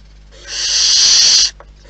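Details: A single loud, rasping hiss about one second long, given by a wild barn owl at its nest, rising quickly and cutting off sharply, against a faint steady hum.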